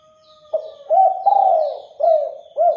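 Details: Spotted dove song meant to lure other doves into answering: a faint steady tone, then a rapid phrase of deep, soft coos with one longer falling note in the middle, clear and close.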